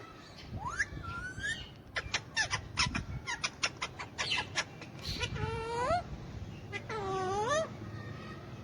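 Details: Pet hand-tame Alexandrine parakeet, alongside ringneck parakeets, talking in Urdu/Hindi: wavering, whistled speech-like phrases that rise and bend, mixed with a rapid series of sharp clicks and a low background hum.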